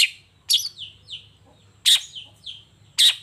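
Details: Morning song of a long-tailed shrike in full voice: loud harsh bursts spaced about a second apart, each followed by softer downslurred whistled notes, over faint low background hum.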